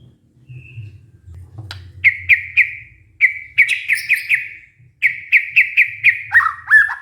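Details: White-rumped shama lure song, played to coax a stressed, silent murai batu into singing again: after two quiet seconds, bright rapid notes repeat in quick runs around the same pitch, broken by short pauses, ending in lower slurred phrases. A faint low hum runs beneath.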